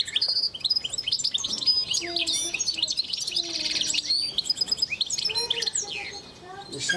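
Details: Goldfinch pair of the Constantine strain, recorded in 2010, pouring out a dense, fast song of high tinkling trills, buzzy twitters and sharp slurred chirps, almost without pause.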